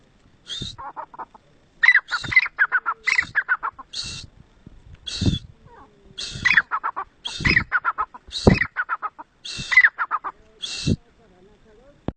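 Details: Kala teeter, the black francolin of Mianwali, giving its rasping, stuttering call phrase over and over, about nine repetitions with short gaps, accompanied by occasional low thumps of handling noise.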